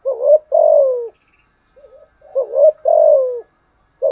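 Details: Decoy spotted dove cooing: two full phrases, each a quick wavering double note and a longer downward-sliding coo, with a soft short note between them.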